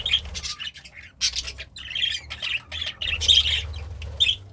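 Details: Pet budgerigar, described as happy while eating greens, giving bursts of sharp high chirps and squawky notes in short clusters, with pauses between, over a faint low hum.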